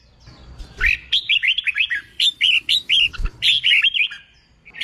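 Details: Newly trapped red-whiskered bulbul in training for song contests sings a steady stream of quick bright whistled notes, rising and dipping, in three close phrases with a couple of low knocks.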